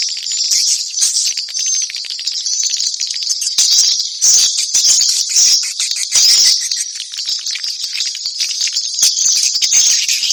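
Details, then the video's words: Swallows in full chorus, a thick, unbroken wash of high chirps and thin whistled squeaks, swelling with sharper bursts around the fourth and sixth seconds. "ang pinakamagandang swallow call sound"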